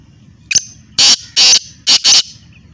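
Black francolin giving a short click, then four loud, harsh, grating notes in quick pairs over about a second and a half, against quiet background.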